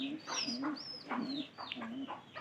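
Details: Pigeons cooing indoors, low, steady coo notes repeated about every half second, with higher squeaky chirps and faint background chatter overlapping.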